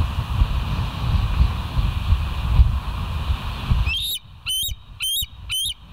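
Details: Bald eagles on the West End nest, 18 August 2023 at 06:50 in the morning: after four seconds of low rumbling noise, a quick series of about five high, thin, piping whistled notes.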